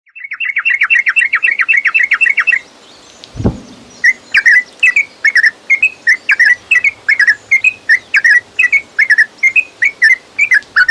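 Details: Yellow-vented bulbul lure song meant to make a caged bird sing: a fast rapid trill of repeated notes, a low thump, then a long run of liquid, bubbly whistled phrases repeated steadily.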